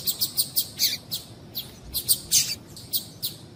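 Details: Female Double-collared seedeater calls, used to get a male singing: short, high, sharp chirps given singly and in quick pairs at an uneven pace, about a dozen notes, with faint background hiss.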